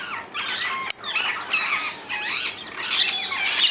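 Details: Rose-ringed parakeets, free-living in the Netherlands, screech harshly. Shrill squawks overlap, a short break comes just before one second, and then the raucous calling returns with sharper piercing notes toward the end.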